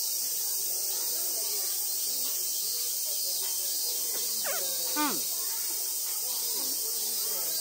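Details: Ijima's copper pheasant kept at a small zoo in Omiya Park, Saitama, Japan, responding to a person: one sharp, steeply falling call, preceded by fainter ones, with a steady high-pitched hiss throughout.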